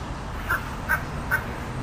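Boat-billed Heron giving three short, harsh, croaking notes about every half second, over a steady low background hum.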